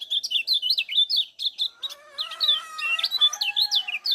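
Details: Kecial kuning from Lombok singing in full voice as a lure for other kecial: rapid, twisting high chirps, with a steady lower droning tone running beneath the second half.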